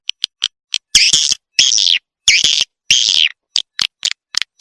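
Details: Calling sound for luring swiftlets: several drawn-out, wavering buzzy twitters separated by single sharp clicks.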